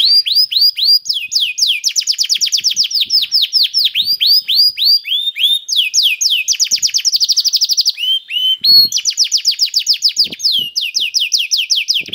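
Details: Canary song intended to set other canaries singing: long runs of high repeated notes, fast rolling trills and slurred whistles following one another continuously for twelve seconds.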